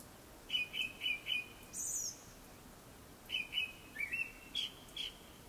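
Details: A Japanese thrush sings before sunset: three to four ringing whistled notes repeated in a row, a short high trill, then another string of varied whistles.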